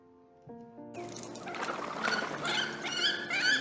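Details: Wood duck on Florida's St. Johns River gives alarm calls, the strident calls made when disturbed: shrill, rising squeals about twice a second, after a brief musical chord.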